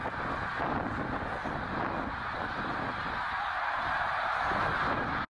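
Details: Snow geese massing on migration at Middle Creek, Pennsylvania, in 2023; a thick, unbroken clamour of many honking birds at steady loudness, ending abruptly.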